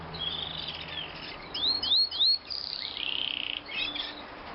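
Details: Three-year-old male white canary singing in the morning: quiet warbling, a few clear upslurred whistles, and a short rapid trill, against steady background hiss.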